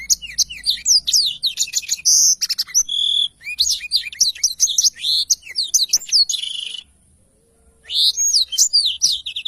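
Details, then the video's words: Energetic black-throated canary, recorded as a training tutor for songbirds, pours out long varied phrases of rising and falling whistles and chirps, falls silent for about a second, then resumes. "blacktroath gacor cocok untuk masteran"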